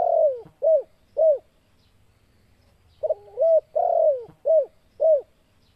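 A spotted dove gives two bursts of soft, hollow coos, each a run of three or four quick slurred notes, with a pause between them.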